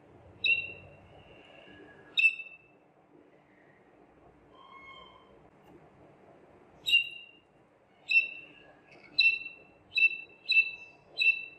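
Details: Belgian Waterslager canary, bred for its song, in training; spaced bright whistled notes, a few soft low hollow tones, then a run of sharp clear notes about once a second.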